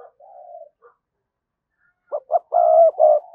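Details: Provoking coo of a spotted dove lure bird: a quiet soft coo, a pause, then two quick notes and two long loud coos in close succession.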